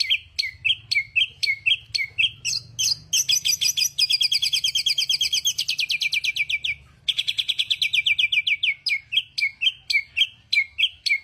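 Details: Songbird delivering sharp, high chirps repeated about twice a second, broken by two long, fast, buzzy trills of rapidly repeated notes. Faint low hum in the background.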